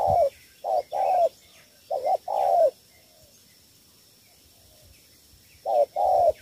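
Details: Spotted dove from Cà Mau cooing in the Vietnamese 'thổ 3 âm' three-note style for attracting wild doves: soft hollow paired notes then an extended downslurred coo, three phrases with a silent gap mid-way; faint hum.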